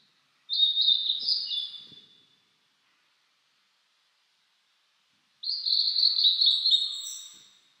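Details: Blue-and-white flycatcher singing in a mountain forest in spring after rain, cloudy and 14°C; two clear whistled phrases about five seconds apart, each roughly two seconds of sliding, slurred notes ending in a softer trailing buzz.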